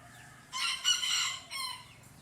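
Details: Rooster in competition, crowing back at rival roosters. A quieter, somewhat distant cock-a-doodle-doo: a raspy opening, a sustained middle, and a short, fading last note.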